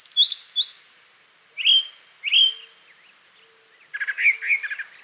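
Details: A Brown Thrasher sings a run of varied, rich phrases without repeating itself: chirpy notes, slurred whistles and a harsh, buzzy burst. A steady high insect drone continues underneath.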